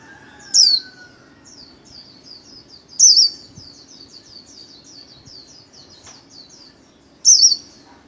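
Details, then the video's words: White-eye singing the 'líu' style, played solo for daily training of kept songbirds: three loud high squeaky phrases about every three seconds, separated by a faint, rapid, high chattering series in between. "KHUYÊN LÍU SOLO RẤT HAY - LUYỆN KHUYÊN LÍU MỖI NGÀY"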